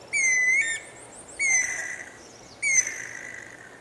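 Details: Guira cuckoo singing three long, harmonic-rich whistled notes about 1.2 seconds apart, each held fairly level before a slight upward lift and an abrupt end, over a quiet background.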